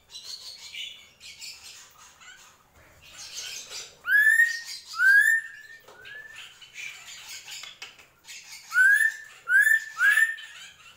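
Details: Drongo mixing soft buzzy chatter with groups of rising whistled notes, three in a quick run twice, separated by rougher phrases.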